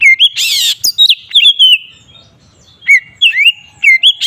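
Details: Ngeplong-style song of an Oriental magpie-robin, used as a lure to anger other kacer: a harsh scratchy burst, then sweet rising and falling whistles, a brief pause, and renewed whistled phrases ending in another rasp.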